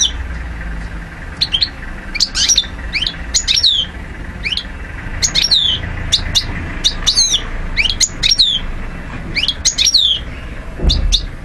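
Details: European goldfinch from Algeria, 2012, giving spaced bright twittering phrases of sharp downslurred high notes every second or so, over a low steady background rumble.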